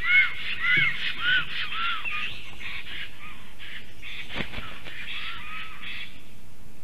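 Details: Black Stork pair, male and female, call at the nest to drive off a strange stork, midday on 12 July 2023. A quick series of arched calls opens, then fainter, scattered calls follow.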